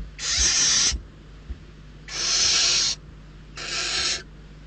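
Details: Barn owl chicks at Riet Vell Nature Reserve in Spain's Ebro Delta rasping hungrily over delivered prey; three loud broadband hissing screeches, each under a second, spaced about a second apart.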